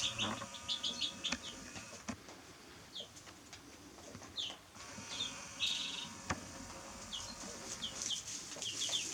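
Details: Baby chicks give scattered high, falling peeps, quieter and more spaced out, among sharp clicks, knocks and rustling close by.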